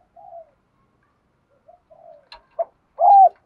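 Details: Spotted dove giving a quick-provoking lure coo (thúc gù) meant to excite other doves into calling: soft low murmurs, then one loud hoarse coo ending in a slight downward bend.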